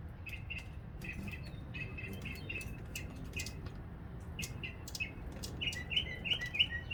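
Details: A northern mockingbird sings merrily after a February rain, a run of short, chirpy mid-pitched notes repeated in quick groups, turning brighter and louder near the end, over a low background rumble.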